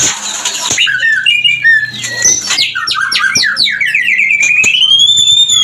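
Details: White-rumped shama mating lure meant to bring birds into breeding condition. Rich, fast, varied song of rapid sweeping notes, ending in a long rising whistled trill, over a faint low hum.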